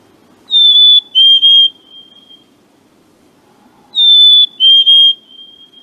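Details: Two Black-capped Chickadees, one in the distance, give the clear whistled fee-bee song used to attract a mate or declare territory, a high note dropping to a lower, slightly broken one, twice about three seconds apart, possibly a duet or rival males.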